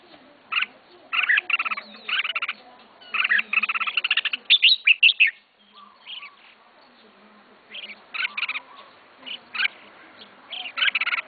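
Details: Red-whiskered bulbul kept caged as its owner's first bird sings a long run of quick chirpy phrases, briefly loud and jumbled midway. It continues with sparser sharp notes after a short lull.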